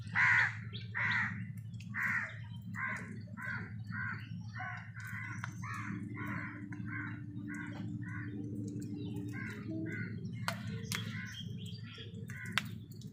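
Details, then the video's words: A rapid series of about fifteen harsh crow caws, roughly one per second and fading gradually, with a steady low hum and a few sharp clicks, as crows fight wild birds over food. "কাকের ডাক Crow Sound"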